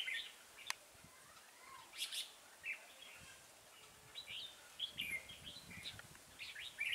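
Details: Red-whiskered bulbul kept as a decoy bird gives quick chirpy warbles in short bursts, some phrases rising, against a hissy background with occasional knocks and clicks.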